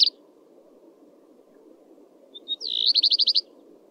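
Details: Common redstart (Phoenicurus phoenicurus) song: after a short silence, two thin whistled notes lead into a rapid, high, ringing series of about seven repeated notes. A constant low background hum is present.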